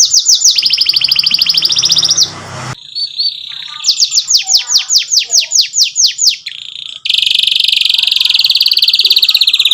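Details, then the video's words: Canary song for young canaries to copy: a fast trill, brief quiet, a run of loud descending whistled notes repeated twice a second, then a long buzzy rolled phrase. "KENARI GACOR cuit cuit NEMBAK PANJANG, pancingann kenari paud belajar bunyi"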